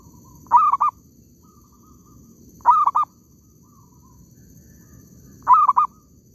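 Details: A wild zebra dove in an oil palm plantation, recorded while trapping doves, gives three short bursts of quick, stuttering cooing notes about two to three seconds apart, over a low rumble and faint high insect hiss.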